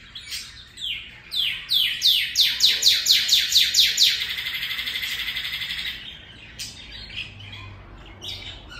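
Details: Northern cardinal singing in imitation of a canary's song: a fast run of loud, clear down-slurred whistles, about a dozen in quick succession, runs into a steady buzzy trill for two seconds, then fades into softer scattered notes.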